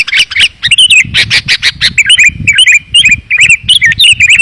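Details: Sooty-headed bulbul luring calls meant to bring wild birds down: fast harsh chatter at first, then repeated twisting chirps with a hooked, bending shape, over a soft low hum.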